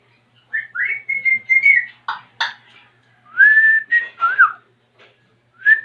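An African grey parrot gives clear, human-like whistles, some level and some sliding up or down. These mix with short harsh bursts over about six seconds, with a person talking nearby.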